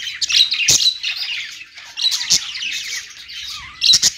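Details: Budgies on a perch in steady song, a bright rolling warble of quick chirps broken by loud clicking squawks at the start, midway and near the end.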